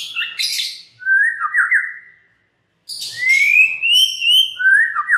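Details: White-rumped shama lure song aimed at getting other shamas to sing: a burst of chatter, a trilled whistle, silence, then a sweeping upward whistle and another warbled phrase.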